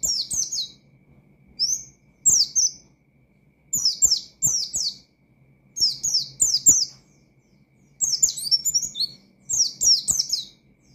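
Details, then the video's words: Oriental white-eye singing a 'ngalas' style meant to stir up rival white-eyes; high, shrill downslurred chirps come in clusters of two to four, with gaps between groups and light clicks and taps in the background. "Burung Pleci Gacor Ngalas Nembak Mangil Lawan,Memicu Emosi Pleci Bahan"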